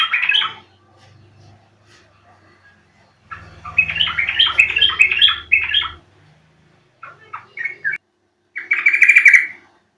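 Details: Yellow-vented bulbul sound played to provoke a bird into singing in reply; bubbly, warbled phrases of quick tumbling notes in bursts separated by pauses, with a low hum underneath.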